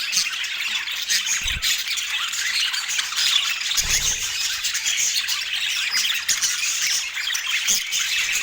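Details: Autumn morning feeding of a pet parakeet; steady, rapid scratchy chirping and squeaky twitters fill the clip, with a couple of dull knocks around the middle.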